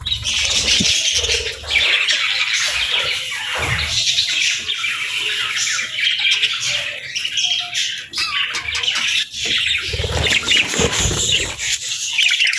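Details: Budgie parents feeding their young; steady high twittering and scratchy chirps from a group of birds, nearly unbroken, with a faint low hum.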